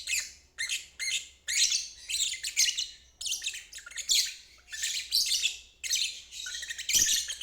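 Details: Lovebird performing the ngeriwik trill, offered as training for stalled birds and fledglings; separate buzzy chattering bursts about half a second each, repeated roughly every half to one second.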